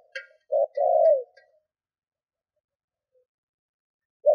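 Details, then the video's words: Spotted dove kept as a decoy for other doves, one low hooting coo phrase with faint higher chirps from another bird alongside, then a pause and the start of the next coo. "Tiếng cu gáy mồi thúc gù kích bổi Hiệu quả"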